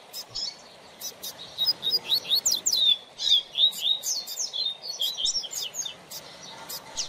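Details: Double-collared seedeater singing as a teacher for young birds learning their song: a lively, continuous string of high, swooping and buzzy warbled notes with sharp ticking clicks scattered through.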